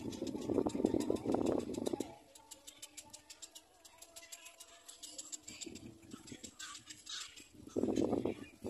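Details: Feeding from its mother, a little black cormorant chick gives loud grating squawks for two seconds, then falls quiet among soft clicks before another harsh burst at the close.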